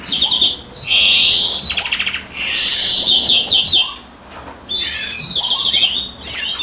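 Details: While the female incubates, a European greenfinch sings a fast twittering song broken by short silences, with wheezy buzz notes and rapid trilled phrases.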